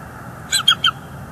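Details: Bald eagle at a northeast Florida live-cam nest in December, adult driving juveniles away; three short squeaky piping notes in under half a second over a steady low background hum.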